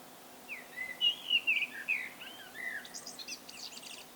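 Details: Solo song of a common blackbird: a rapid run of rich fluty warbles rising and falling, then a softer series of high scratchy twittering notes.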